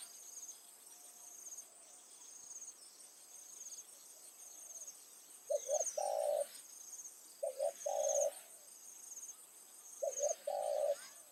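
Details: Evening decoy spotted dove luring wild doves, after several quiet seconds giving three phrases of paired short coos followed by a longer coo, with constant high insect buzzing in the background.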